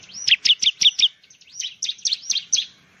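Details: Bar-winged prinia from Indonesia giving a quick series of sharp, high, downward-slurred chirps, about five in one second, then a second run of similar notes after a short pause.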